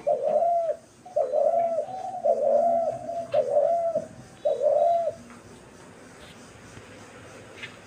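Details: Five low, rounded coos from a dove, recorded March 28, 2024, delivered in an even series roughly one per second, each note swelling and then sliding down. Quiet stillness follows for the last few seconds.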